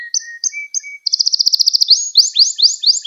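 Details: Canary singing for young canaries to learn from: short whistled notes over a low tone, then a fast even rattle and a run of rising-falling sweeping notes repeated about four per second.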